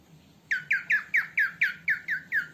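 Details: Female cockatiel voice, used for training cockatiels: after a quiet start, a series of eight descending, slightly harsh whistled notes repeated about every quarter second, over a faint low hum.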